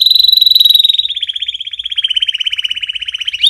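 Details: Canary song for training chicks: a continuous rapid rolling trill of evenly repeated notes that starts high, sags slightly lower, and rises again at the close.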